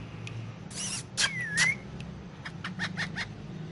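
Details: Ringneck parakeet on pillows, a pet talking in Urdu/Hindi. Noisy bursts lead into a single clear whistle dipping then rising, followed by a loose string of soft clicks over a low hum.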